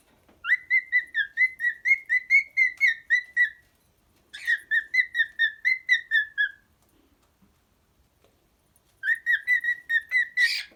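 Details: Pet cockatiel singing: three bursts of rapid, evenly repeated clear whistled notes with a bright, slightly buzzy overtone, about a dozen notes per burst, separated by short silent pauses; no other sounds.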